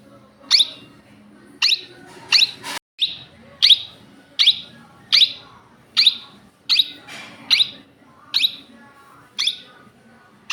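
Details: Pet Indian ringneck parakeet giving harsh, shrill screeching calls, about a dozen sharp bursts spaced roughly a second apart, each loud and grating against a quiet room background.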